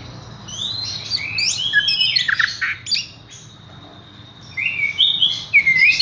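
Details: Horsfield's bush lark singing in rapid scratchy chirps and slurred whistles, a pause, then sharp looping high whistles.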